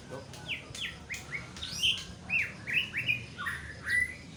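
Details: White-rumped shama singing a varied run of clear whistled notes, many sliding up or down, given in quick separate bursts, with a faint low background hum.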